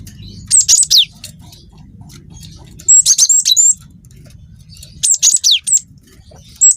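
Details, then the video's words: Young cinereous tit singing actively, a long rolling song: three bursts of high, sharp chips and downslurred whistles about two seconds apart, over a low, steady hum. "PANCING BUNYI GELATIK BATU GACOR WINGKO"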